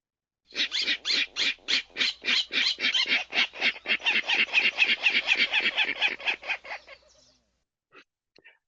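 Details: Virginia Rail in a wetland with emergent vegetation giving its grunt call: about twenty harsh, squeaky, pig-like grunts, roughly four a second, slowing like a spinning coin, fading out after six seconds.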